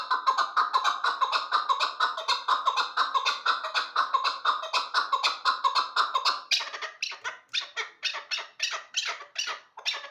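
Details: Hybrid chukar partridge kept for hunting, described as the best partridge for hunting; a dense run of harsh, clucking chuck notes about two per second, shifting after six seconds into sharper, higher, more spaced bursts.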